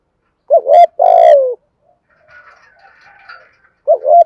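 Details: A spotted dove kept as a pet bird sings in the 'giọng thổ Thúc Gù' style: a rolling double coo, then a long falling note, then a quiet gap with faint higher chatter before another rolling coo begins.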